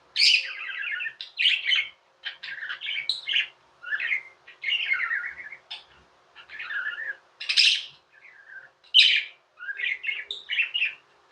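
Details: Indian pet budgerigars singing and chirping indoors: a long, busy run of harsh buzzy chirps, trills and warbled phrases separated by very brief pauses, varied and irregular throughout.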